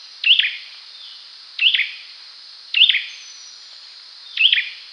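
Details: Olive-backed sunbird calling, four short high upslurred chirps each with a quick tail, spaced about one to one and a half seconds apart, against a soft steady hiss.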